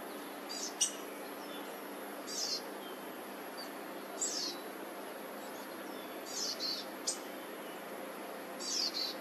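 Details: Nestling black-headed grosbeaks, three counted, in a laurel nest in a South Eugene front yard, 26 June 2023, being fed by parents: scattered high raspy buzzes and sharp clicks spread over nine seconds above constant distant pressure-washer hum.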